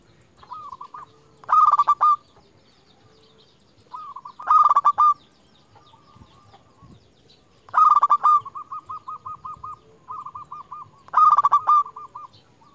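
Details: Persistent local zebra dove, a champion lure bird for calling rivals. Loud bursts of fast rolling coos repeat about every three seconds, four in all. Softer, evenly spaced coo series run between and after them.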